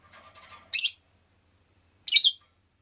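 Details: Pet rosy-faced lovebird giving two loud, rasping chirps about a second apart, preceded by soft, indistinct murmuring.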